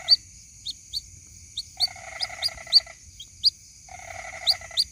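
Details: Young white-breasted waterhen calling for its mother, a lure recording: sharp, upslurred high peeps in irregular runs, interleaved with stretches of a fast, lower, buzzy ticking trill and a faint constant high tone.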